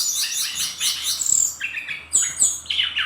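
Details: Energetic kept brown-chested jungle flycatcher, Bali type, singing: a fast run of repeated rattling notes, then sharp, piercing high whistles that slide downward in quick succession, ending in softer chirps.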